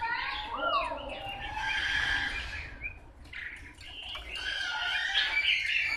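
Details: Chinese hwamei, a wild-caught bird, giving loud swooping whistles and harsh, buzzy rushing phrases, broken by a brief quieter gap midway before the bright whistled notes return.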